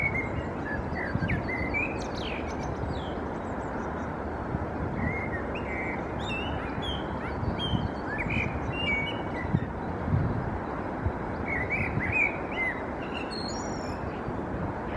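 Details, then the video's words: Male common blackbird perched on a branch singing in Helsinki, Finland, April 2024: short mellow warbled phrases, some ending in high squeaky twitters, over a steady low rumble of traffic. "Blackbird male perching, singing"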